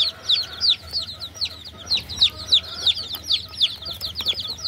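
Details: Baby chickens peeping clearly, a steady stream of high, slightly downward chirps, about three a second, with little other noise.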